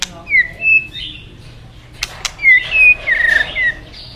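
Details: Forest white-rumped shama singing over rushing river water: clear whistled notes near the middle of its range, a few slurred phrases followed after a pause by a faster run of bright whistles, with two sharp clicks between them.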